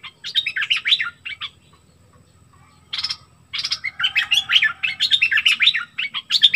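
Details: Excited flowerpecker giving rapid, high, thin twittering chirps in dense bursts, a brief pause near the middle, then a busier run of sharp tinkling notes to the end.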